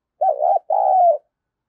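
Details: Decoy spotted dove, kept to lure wild birds, giving a single two-part coo. A warbling, undulating opening note is followed after a brief gap by a drawn-out coo that sinks at its end.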